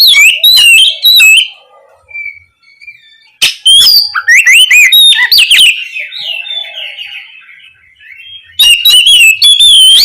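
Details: Oriental magpie-robin, locally kacer, calling its companion: loud, varied whistled phrases with sharp rising and falling notes in bursts at the start, middle and end, separated by quieter pauses with faint low hum.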